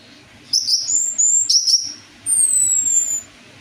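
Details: Orange-headed thrush used as a singing lure: thin, very high whistles in short bursts, with a pause before a long, clear, slowly descending whistle.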